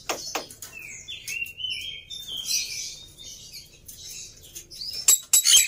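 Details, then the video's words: Black-winged myna singing gacor-style, played to provoke birds into song: a couple of sharp clicks, then a long whistled note climbing in steps, then noisy hissing chatter ending in squeaky high clicks. "Memancing Burung Jalak Putih Bahan Cepat Bunyi Anti Mandek || Jalak Putih Gacor"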